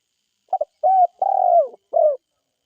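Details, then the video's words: Spotted dove from a forest setting giving one low cooing phrase: a short note, a steady coo, then a longer, gently falling coo and a final shorter coo, in otherwise silent surroundings. "SUARA TEKUKUR DERKUKU GACOR HUTAN"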